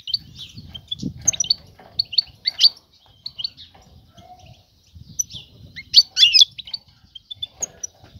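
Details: European goldfinch female calling to attract a male for mating; scattered high chirps and short twitters, a louder tangled burst later, with low murmuring background noise.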